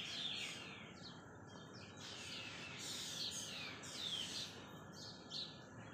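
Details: Four black drongos raise a commotion in the early morning, 22 December 2020 at 07:55, mobbing a cat and chasing it away from a bush while Brahminy and common mynas shift along a wire; harsh, raspy, overlapping high calls in repeated bursts over steady hiss.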